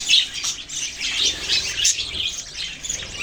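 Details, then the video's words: Budgerigars, Australian parrots, in a group: busy overlapping chirps and squawky chatter, high and bright, with short bursts packed closely together and no pauses. "Birds chirping sounds Beautiful Australian parrots video"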